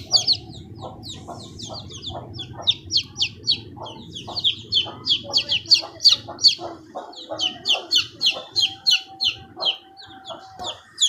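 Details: Chicks of domestic chicken calling nonstop: a dense run of loud, high, sharp peeps, several birds overlapping, about three per second, with soft low clucks underneath.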